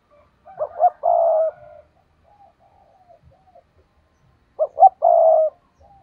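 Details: Spotted dove used as a decoy to attract wild birds gives two matching phrases: quick short coos leading into a long steady coo, with faint soft notes between them.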